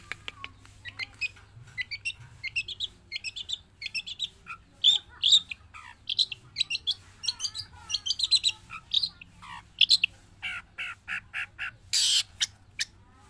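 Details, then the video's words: Long-tailed shrike from Java, trained to sing freely inside and outside the cage, pours out a long chattering medley of harsh squeaks, twitters and scratchy notes in quick succession, ending with a loud rasping burst. "Cendet Jawa didalam dan dilepas dari sangkar tetap gacor non stop"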